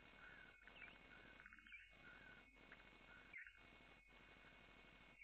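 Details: Montagu's harrier at the nest on 23 June 2015, female bringing a mouse and feeding the young; short thin chirping notes with quick up-and-down sweeps, several in about five seconds, over a steady hiss and a constant electronic whine.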